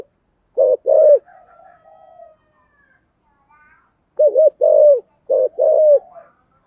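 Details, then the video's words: Spotted dove singing in the 'giọng thổ cục đinh' voice style, played to lure wild doves: two deep cooing phrases of four hollow notes each, separated by a three-second pause, with faint softer tones between. "cu gay giong tho cuc dinh/ mở lên bổi nghe nhanh về cội"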